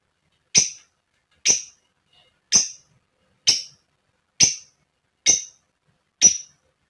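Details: Calling female lovebird meant to stir other lovebirds into song: seven strident, clipped high chirps spaced almost evenly, roughly one per second, against silence.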